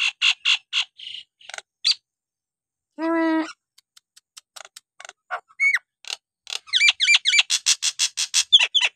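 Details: Varied Nias hill myna vocal bout with ringing piping notes, a single deep nasal honk, sparse clicks and squeaks, then a rapid lively series of bright whistled and chattering notes.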